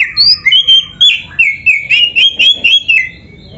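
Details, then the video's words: Kept oriental magpie-robin singing busily with dense filler phrases: clear whistled notes, slurred up and down, repeated about four times a second in a quick even string. "Kacer gacor full isian RAPET"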